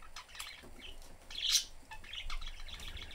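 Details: Caged pet budgerigars, a family of three with the cage door open, playing and chirping: a quick run of high, scratchy chirps with one louder sharp squeak in the middle, over faint low rumble.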